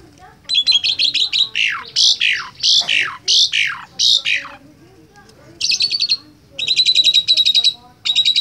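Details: An Asian pied starling (Gracupica contra) learning to imitate a cackling call chatters in bursts of slurred, falling whistles and scratchy rattles, then buzzy, rapidly repeated high notes, with a faint voice in the background.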